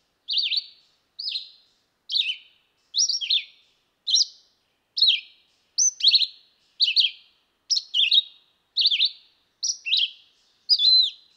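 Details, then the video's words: Steady red-eyed vireo song, about a dozen short slurred whistled phrases, each slightly different, repeated roughly every second in a continuous, patient series; no other sounds. "Singing Red-eyed vireo"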